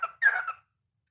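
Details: A cockatiel singing at night gives two quick squeaky, warbling notes, the second longer and slightly wavering.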